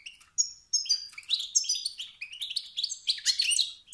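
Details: Male European goldfinch producing calls that ignite rivalry in other males, a nearly continuous stream of rapid, liquid twittering notes and ringing chirps rising and falling in pitch.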